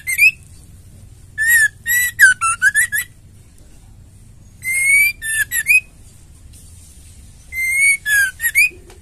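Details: Female white-rumped shama, caged, singing to stimulate caged males: three phrases, each opening with a clear steady whistle followed by quick slurred notes and a rising upslur, separated by pauses of about two seconds.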